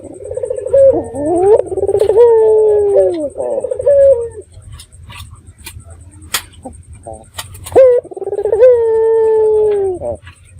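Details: Red-eyed dove lure call, meant to get other doves to answer; two bouts of purring rolls and long downward-drifting coos separated by a quiet gap with a few clicks, over a low steady hum.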